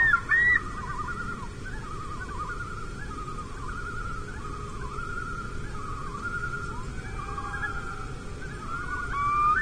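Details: Common loons, a mated pair on Lake Vermilion, abandoning their nest on a tiny rocky island after bald eagles flew over, July 14, 2024; long wavering, wailing tones hold steady and bend throughout over a low rumbling background.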